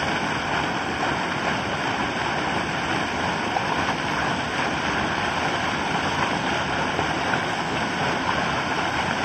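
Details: A steady, loud roar of surf or rushing water fills the whole recording; no animal calls are heard.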